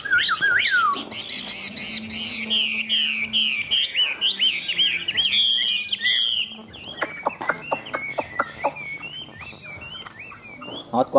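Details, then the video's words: Caged, tame Chinese hwamei in full song, a dense rush of rich whistled and chattering phrases, repeated rapidly, softening toward the end into scattered sharp clicks and short looping whistles. "Họa mi xòe, Thuần đẹp mau mỏ hót hay"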